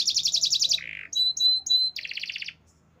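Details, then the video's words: Canary singing: a fast trill, a low buzzy rattle, three clear steady whistles, then another rapid trill of repeated notes before stopping. "Natural Sound of Forest Birds Chirping || Canaries"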